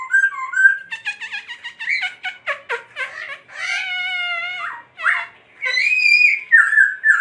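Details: Laughingthrush giving a fast, varied song: a rapid series of short chattering notes, then a long, rich whistle and loud ringing phrases that rise and fall.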